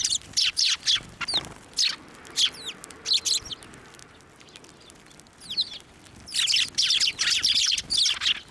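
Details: Sparrows fed from the hand at a Tenmangu shrine, 11 March 2024: spaced, sharp chirps at first, a brief lull, then a dense closing flurry of high twittering.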